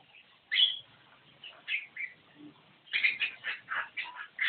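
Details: Javan myna singing vigorously: harsh, scratchy bursts with a loud rasping note early on, then a quick run of chattering, squeaky phrases near the end.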